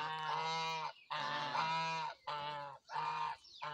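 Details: Steady goose honks, four drawn-out brassy calls of about one second each, separated by brief pauses.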